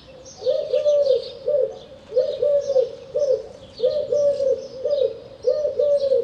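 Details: Eurasian collared dove giving a steady series of low, hollow coos in repeated groups, about one group per second. High thin chirps from other small birds sound above it throughout.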